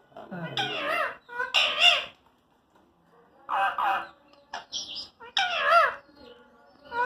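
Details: Talking parrot uttering speech-like phrases in bursts of harmonic, wavering syllables, with short pauses and a brief higher squeak between phrases.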